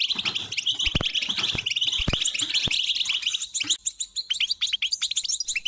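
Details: European goldfinch mating song for shy, silent birds: a long stream of quick, bright, high twitters and chirps, several low thuds in the first half, the later part thinner and more spaced.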